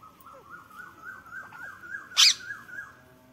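A rose-ringed parakeet gives a quick series of short, squeaky, rising-and-falling notes, about three per second, with one sharp loud click partway through.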